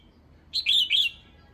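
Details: Calling song of a female red-whiskered bulbul, meant to excite males: a single rich phrase of three whistled notes, first rising, then dipping and rising again.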